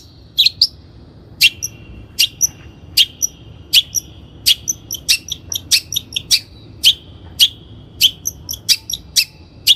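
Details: Long-tailed shrike lure recording for bird training: short sharp high notes with ringing tails, repeated every half second or so, interspersed with brief thin squeaks.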